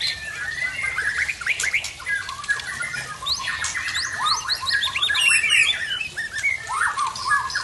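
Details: White-rumped shama of the Murai Aceh Tangse strain, singing fiercely after its moult: a varied mix of sharp upswept whistles, chirps and buzzy scratchy notes with quick rising slurs.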